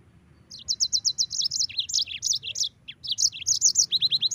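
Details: Yellow-fronted canary in full song, used to train other cage birds: after a brief pause, a steady run of rapid high chirped notes, varied trilled phrases, and a closing series of quick downslurred notes.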